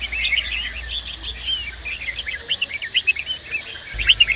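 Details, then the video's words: Male red-whiskered bulbul singing with a female nearby to stimulate him: continuous jumbled warbling of quick whistled notes, growing louder and more clipped toward the end, over faint low hum. "Chào Mào Hót .Chào Mào Mái Kích Bổi Ra Giọng"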